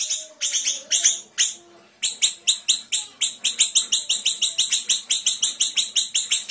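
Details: Master recording of a Sumatran small minivet for tutoring cage birds: a few scattered high chirps, a brief pause, then a fast, steady run of sharp downward-sweeping chirps, about four per second.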